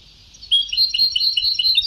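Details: Brief, lively European goldfinch phrase from an old sabtawi (Ceuta-style) song tape: quick, jangling high twitters tumbling one after another after a short quiet start.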